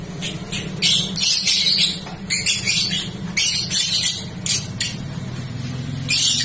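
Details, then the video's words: Rambling, jumbled song of a young balibu prospect bird: bright, high chattering bursts repeated about every half second to second over a steady low engine-like rumble. "Balibu Bahan Konslet Lagi Nglantur Ngalor-Ngidul"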